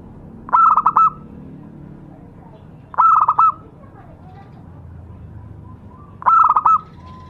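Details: Local zebra dove giving a lure song: three bursts of quick staccato cooing notes, each about half a second long, coming roughly every three seconds over a quiet low background hum.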